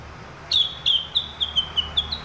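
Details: Sumatran leafbird (rengganis, cucak wilis) singing lively and clear: a run of sharp, high chirped notes repeated about every quarter second, slightly descending, over faint low background hum.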